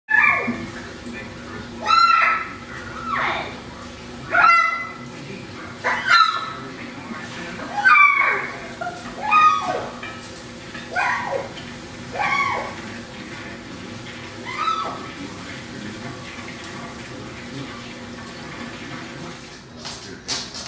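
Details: A pet hyacinth macaw gives short, squeaky, falling notes, repeated every second or two, a recently started sound her owners call "monkey" noises, likened to a squeaking pantry door.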